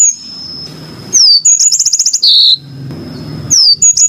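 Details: A yellow-fronted canary gives a quick phrase: a descending whistle, a clipped series of rapid high ticks, then a buzzy note, followed by another falling slur. A steady high tone and soft low hum sit behind it.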